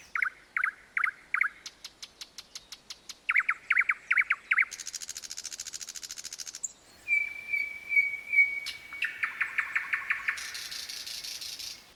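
A common nightingale sings a varied run of phrases: quick repeated chirps, a high buzzy rattle, then a long level whistle swelling into pulsed notes and a final dry rattle.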